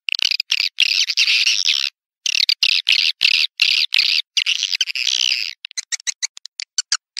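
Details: Swiftlet calls played to lure swiftlets into bird houses: bursts of harsh, buzzy chirps between about 2 and 6 kilohertz, repeated rapidly with short gaps, ending in a run of brief clicking notes.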